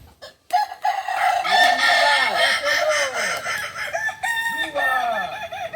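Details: Kukuak Balenggek rooster, a native ornamental chicken from Solok, West Sumatra, crowing during a training session: a long run of rapid stuttering, wavering syllables after a sharp onset, sustained for several seconds.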